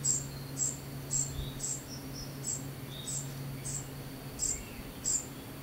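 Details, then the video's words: High, piercing begging notes from a young common cuckoo during feeding, repeated roughly twice a second with some irregular gaps. A few faint lower whistles sound in the background, and a noticeable low drone runs throughout. "Imbeccata Al Giovane Cuculo"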